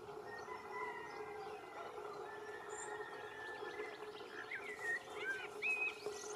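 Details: Canary Islands chiffchaff at Valleseco, Gran Canaria, in May 2022, delivering a brisk burst of high, slurred chirps and whistled notes near the end, after a stretch of faint background calls over a constant low hum.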